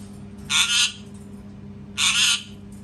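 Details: Two loud, raspy parrot screams about a second and a half apart, each harsh and noisy, each with a brief dip mid-call, over a low steady hum.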